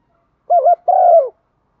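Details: Decoy spotted dove with a pearl-spotted neck calling in the one-ending style. A single clean phrase has a fast wobbling two-part hoot running into a steady coo that drops at the end.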